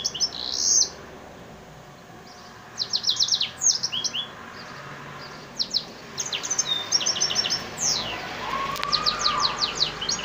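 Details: An F1 hybrid of an African singer and a yellow-fronted (Mozambique) canary in Souk Ahras, Algeria, sings bursts of high, rapid twittering trills and sweet chirps, pausing between phrases, with light background hiss.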